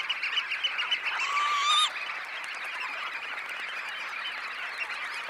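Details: About 20,000 red knots taking off from a high tide roost: a thick wash of overlapping clipped calls, with one louder drawn-out rising whistle with harmonics standing out in the middle before the chorus carries on evenly.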